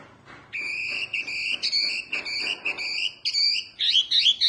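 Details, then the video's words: Oriental white-eye, mini wambi type, used for tutoring songbirds: a string of repeated double-toned whistled notes over a hissy background, closing with quicker twisting chirps. "Kicauan OK wambi mini GANAS bagus untuk masteran"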